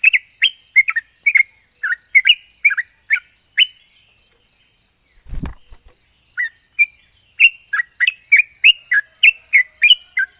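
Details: Sooty-headed bulbul in 'ropel' style, whose song reportedly makes other bulbuls answer back. It delivers a quick series of whistled notes, then a dull thump and a short gap. A renewed fast whistled run follows, with steady high hiss throughout.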